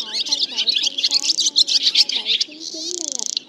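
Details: Black, white-bellied swallows calling the flock together and calling it to roost, a recording played for net and glue trapping; dense overlapping high chirps and twitters with brief rapid trills, beneath faint lower gliding whistled tones.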